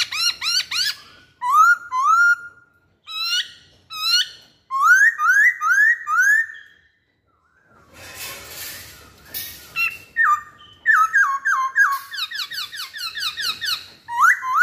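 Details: Long lure song of a masked laughingthrush: bursts of rapid arched and rising whistles, repeated in groups with short gaps, briefly interrupted by a patch of broadband noise midway.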